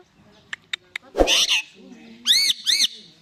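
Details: Indian ringneck parakeet kept as a talking pet: a few sharp clicks, a short harsh burst, then two loud arched nasal squawks in quick succession.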